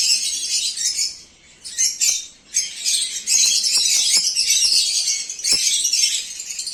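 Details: Breeding pair of lovebirds in lutino, orange sun and carnur colors, calling loudly in dense, harsh, high-pitched squawks and chirps that run almost without break, with a few sharp clicks mixed in.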